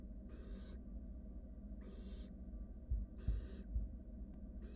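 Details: Wild barn owl nestlings in their nest box while a sibling gulps down a rat; rhythmic wheezing hisses, each about half a second, come in a steady series of four, with muffled thuds between.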